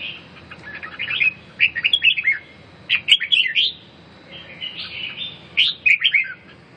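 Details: Red-whiskered bulbul recovering from a cough and respiratory illness, singing bright warbled phrases of quick rising and falling whistles, grouped in three bursts separated by short pauses over a low background hum.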